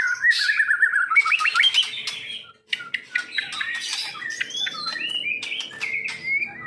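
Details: Caged Medan white-rumped shama singing varied slurred whistles and chips, a short silence in the middle, then resuming with thinner high notes and clear whistled phrases.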